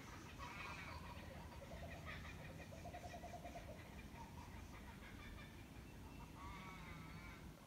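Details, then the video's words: Kookaburras at Mt Macedon on 31 December 2021 cackle in a rolling, uneven chorus of harsh, rising and falling hoots, with crows also present, over a steady low rumble of wind or distant traffic. "Kookaburras and crows singing"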